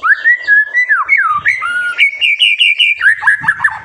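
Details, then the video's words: Song of a white-rumped shama intended to draw young birds into singing: smooth, mellow whistles that rise and dip, followed by a rapid warbling run of repeated high notes. "MASTERAN MURAI BATU GACOR SANGAT COCOK UNTUK MEMANCING EMOSI MURAI BATU MUDA ATAU TROTOLAN AGAR CEPA"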